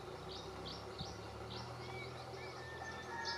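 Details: Atlantic canary in a Canary strawberry tree at Valleseco, Gran Canaria, December 2022. It sings a string of high chirped notes, evenly spaced about every third of a second, with a few thinner whistles, over a low steady hum.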